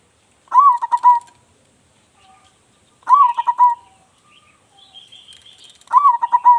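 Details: An eager local zebra dove with a loud voice gives three phrases, each beginning with a rising note and breaking into a fast stutter of soft coos, repeated about every 2.5 seconds. A thin, high trill from another bird sounds between them.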